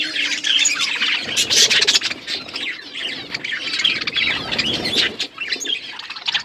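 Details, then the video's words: Pet budgerigars eating food, chattering steadily: a busy mix of high chirps and scratchy warbling notes, with brief louder squawks and faint rustling underneath. "Beautiful budgies parakeet eating food birds chirping sounds"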